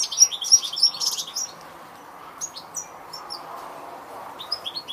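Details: European goldfinch giving a few loud, sharp twittered notes at the start, then sparser, softer chirps spaced out over a quiet background.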